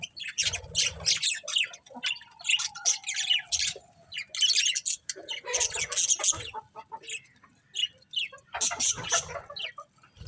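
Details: Colourful budgerigars chirping as a flock, with bursts of scratchy twittering broken by short gaps and one long, steady whistled note that slowly falls.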